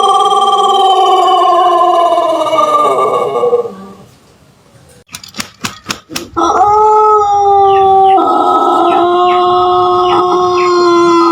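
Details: Two long, melodious crows from a Pelung chicken, an Indonesian breed from Cianjur, West Java. The first sustained crow fades out, a string of sharp clicks follows, then a second steady crow comes with faint chirps over it.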